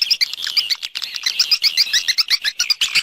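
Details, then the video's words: Swiftlet external sound, 2020 set: steady run of sharp, high twittering chirps repeated several times a second, evenly pulsed throughout. "Free Swiftlet External Sounds"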